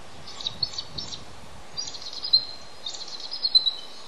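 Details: Male bald eagle incubating eggs on the nest, calling for his mate to come relieve him: high, thin chittering whistles in three short bursts, over steady rushing background noise.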